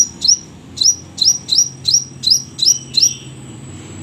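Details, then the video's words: Energetic Crimson sunbird with tight, rapid shot-like song: eight bright, high, sharply rising chip notes spaced roughly every half second, crisp and metallic, followed by a faint thin trailing tone, low hum beneath. "sepah raja gacor tembakan rapet"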